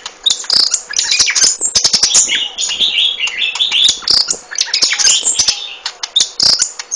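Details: Golden-fronted leafbird singing a dense, rapid run of sharp chirps, clicks and high whistled trills. The notes tumble over one another without a pause for seven seconds, bright and varied, with no other clear sounds.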